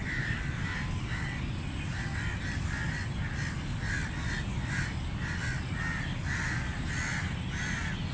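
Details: Long string of repeated grating caws from feeding crows, delivered in rapid regular bursts, with constant low rumbling behind.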